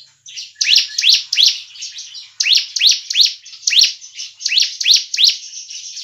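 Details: Bar-winged Prinia lure sound for trapping and for stimulating kept birds into full song; quick runs of high, upward-sweeping chirps packed tightly over a continuous buzzy trill.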